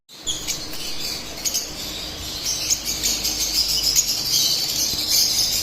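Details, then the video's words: Continuous high-pitched chatter of split albino lovebirds: overlapping squeaky chirps and thin twittering notes forming a busy, unbroken stream against steady hiss. "Split Albino Love Birds Singing and Chirping sounds"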